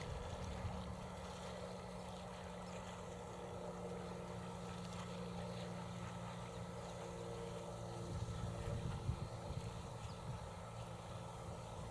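A steady, low motor drone with a faint hum runs throughout, and no animal calls can be picked out.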